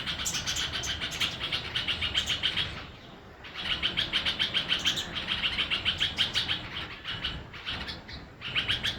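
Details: A red-vented bulbul chick gives rapid, high, scratchy chirps in fast runs of several per second, with a brief pause in the middle of the series.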